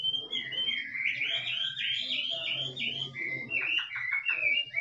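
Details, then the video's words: Forest Chinese hwamei singing 'kích trống' style, recorded more faintly: warbled slurred whistles, then a run of five short clipped notes in a row, over a low steady hum. "Chim họa mi rừng kích trống hót cực đỉnh nghe đã tai"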